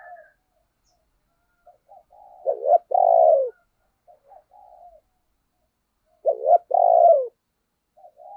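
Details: A caged decoy spotted dove with a deep thunder-voiced coo, used to lure wild birds, sings soft introductory notes before a strong hoarse two-part coo, repeated twice about four seconds apart.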